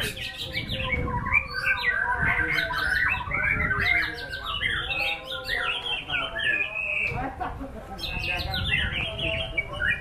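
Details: White-rumped shama (murai batu) in an impressive song display, crowded fast whistles and chips packed together, with bursts of low rumbling noise and a short sharp click near the end.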